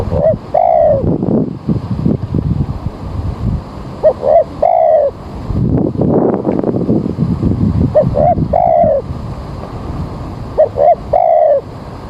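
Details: Spotted dove at a bird-trapping site on an early, overcast morning with rain coming, repeating a low cooing phrase about every three to four seconds: short notes leading into a longer coo, with steady rumbling background noise.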